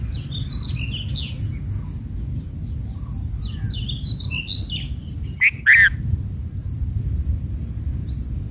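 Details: Black-headed bulbul chicks being fed in the nest, begging: a burst of thin, high chirps at the start, another cluster midway, then a rustle and two sharp calls, over a steady low rumble.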